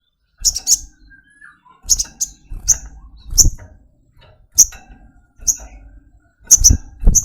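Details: Brown-throated sunbird (sogok ontong) giving sharp, very high chip notes, singly and in quick pairs, spaced irregularly over several seconds, with low thumping and rustling sounds underneath.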